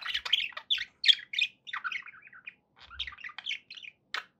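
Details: Pet budgies chattering in fast, scratchy bursts of chirps and squeaks, about three notes a second with brief pauses, bright and high-pitched, with a faint low thump partway through.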